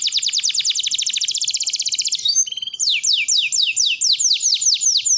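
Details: Canary in long continuous song, used for teaching other canaries to sing: a fast trill of high repeated notes for two seconds, then slower sweeping whistled notes falling in pitch, repeated rhythmically.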